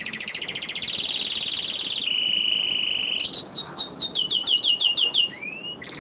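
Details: Caged male canary, kept with a female, singing: a high buzzy trill, then a steady held note, then a run of quick descending notes, ending in a rising whistle.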